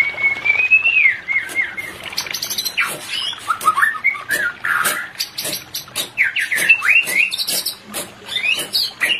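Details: White-rumped shama pair therapy recording to stir breeding: a long wavering whistle, then dense varied warbling with rising and falling notes, among many sharp clicks and taps.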